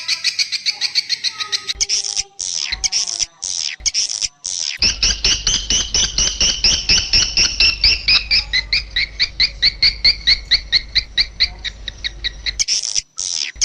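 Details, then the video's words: Swiftlet lure call played to draw swiftlets in to roost, in the style called raja birahi: rapid, repeated high chirps, about two a second, with a low steady hum underneath from the middle onward. "suara panggil burung walet untuk mengginap kan"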